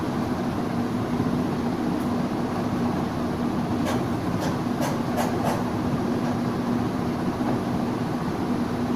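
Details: Loud rumbling train noise with a steady hum and a few sharp clicks, and no animal voices.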